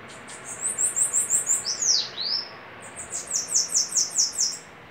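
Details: Bananaquit singing in a duel, giving a fast run of high sibilant notes that ends in two downward-swooping slurs, then a second quick series of thin, wheezy notes after a brief pause.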